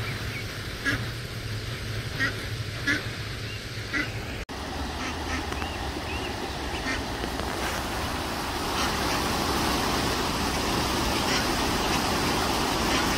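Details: Eastern spot-billed duck ducklings from a large brood with their mother on an urban stream: short, high peeps about twice a second over a steady rush of water and distant traffic.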